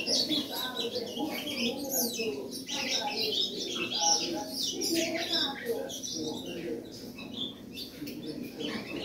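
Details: Three-month-old ultramarine grosbeak chick, described as very spirited, singing bursts of sharp, rapid high chirps and twittering phrases throughout, with a man talking over much of the song.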